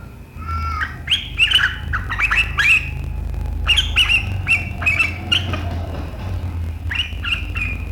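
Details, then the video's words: Sharp 'riwikan' chattering of a sooty-headed bulbul, a style that sets rivals singing, recorded 7 April 2023. Clusters of scratchy, squawky notes repeat in runs about every second over a constant low-pitched background hum. "Suara burung KUTILANG GACOR RIWIKAN yang tajam membuat lawan ikutan ngeriwik"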